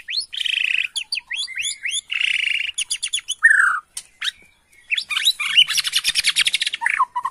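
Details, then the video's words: Bornean White-rumped shama, lure recording to provoke agitated replies. Buzzy trills and rapid upswept notes give way to a slurred whistle, then a dense rattling run ends the phrase. "PANCINGAN MURAI BORNEO EMOSI..!! HITUNGAN DETIK LANGSUNG NYAUT"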